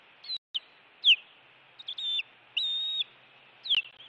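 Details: Osprey alarm at a Montana nest during intruder attacks, 16 June 2017: scattered high notes, a sharp down-slurred whistle, brief squeaks, then a level whistle held half a second before another falling call.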